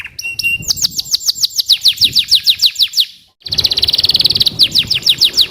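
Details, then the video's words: Canary singing rapid, high trills of repeated sweeping notes, then a brief pause and a faster, denser buzzing roll of notes. "CANARY SINGING"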